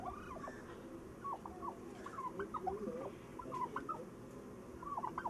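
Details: Turkey calling in short bursts of rapid, warbling, gobble-like notes, repeated in clusters through the clip over a steady low background hum.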